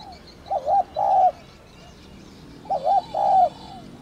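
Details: Thổ đồng style spotted dove call, made to lure wild doves: two matching phrases about two and a half seconds apart, each a quick wavering note followed by a longer steady hoot.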